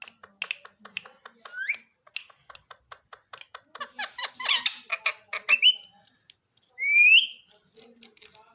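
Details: Pet parrot talking: rapid chattering run of speech-like syllables mixed with squeaky rising whistles, ending with a longer bright upward-sweeping whistle, in a quiet indoor setting.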